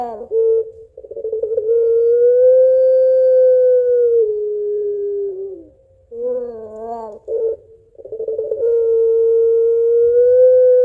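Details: Pelung barbary dove calling its mate in the long "crying-laughing" style: drawn-out, steady, mid-pitched coos lasting several seconds each, broken by short wavering notes.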